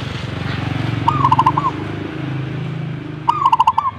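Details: Zebra dove responding in song, two brief phrases of fast, pulsed cooing notes ending in a slight upturn, about two seconds apart, over a steady low rumble.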